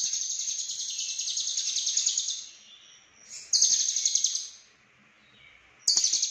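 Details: Konslet-style lovebird song, full isian, from Cililin: a long, fast, buzzy trill held for over two seconds, a pause, then another rapid rattling burst and a sudden final outburst, with a faint steady high whine in the background.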